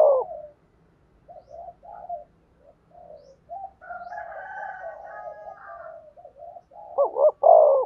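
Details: Spotted dove calls played to train decoy birds, cooing and crooning; soft broken coos at first, then a denser run of overlapping deep coos, ending in two loud double coos.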